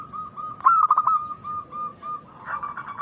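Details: Loud local zebra dove song, meant to lure other doves into singing: one quick stuttering burst of cooing notes followed by a string of short, even coos and a softer closing phrase.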